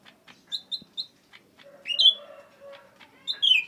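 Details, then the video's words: Cucak ranting, the sooty-headed bulbul, sings in gacor style: three short high whistled chips, then swooping descending whistles, with softer lower warbling notes underneath. "Suara kicau cucak ranting BIG gacor"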